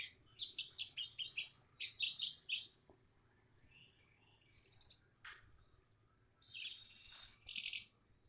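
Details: Lured orange-headed thrush responding quickly in song. It gives a varied series of sharp, high chirped phrases in bursts, with short pauses, ending in a loud, piercing trilled strain.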